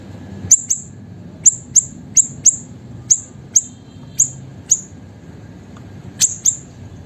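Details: Small siri-siri songbird kept as a pet, singing energetically for use as a master and provoking recording for other songbirds: piercing high chirps, often in quick pairs, spaced irregularly over faint low background hum.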